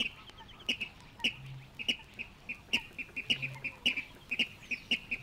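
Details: Water Rail in the reed beds of Matsalu, USSR, from a 1979 field recording on vinyl LP: short sharp notes repeated about twice a second in an uneven series, with faint low hum and record crackle ticks.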